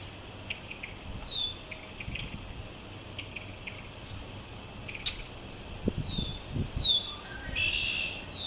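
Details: Several red-winged blackbirds in a backyard maple tree, caught on an iPad: soft chips and descending whistled slurs, then louder overlapping high slurred whistles and a short buzzy burst, with some low rustling.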